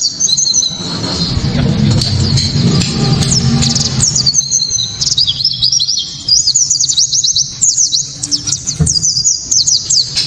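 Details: White-eye (pleci kaca mata) with a loud 'tembakan' song, meant to provoke other white-eyes and to tutor other songbirds: after a rumbly start, a long, lively chain of high, thin, zigzagging notes builds and carries to the end.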